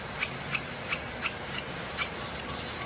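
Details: Northern flicker chicks calling for their parent during feeding give a steady, high buzzing chorus, pulsing in short surges about three times a second, with faint ticking sounds underneath.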